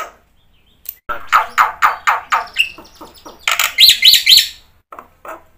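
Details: Black-winged myna singing in full, played as a lure for birds that have stopped singing: a rhythmic series of rough rasping notes, then louder grating chatter with three sharp whistled notes, ending in soft rasps.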